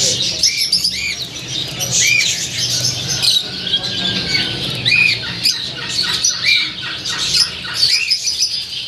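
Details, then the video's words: Gouldian finches give short, thin chirps and soft nasal notes, scattered irregularly over constant high twittering from several small birds, with faint background voices and music. "gouldian finch bird"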